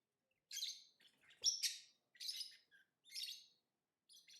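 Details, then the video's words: Lovebird chirping: five soft, high, scratchy chirps spaced under a second apart, one with a thin whistled edge, against otherwise silent surroundings. "Lovebird Singing & Chirping Sounds"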